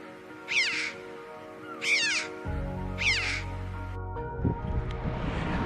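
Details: A red-billed chough in the UK, a bird of coastal cliffs and short grass, gives three loud, ringing, down-slurred 'chee-ow' calls about a second and a half apart, over steady background music.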